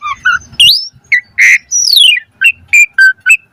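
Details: Asian pied starling singing a varied 'mompa' song. Low whistles, a rising squeal, a harsh squawk, a long falling slur, then short whistled notes repeated at steady intervals.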